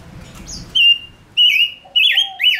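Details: Male lure bird singing: after a soft warble, three loud, clear, drawn-out whistles sound, each with a bright upward twist, separated by short pauses.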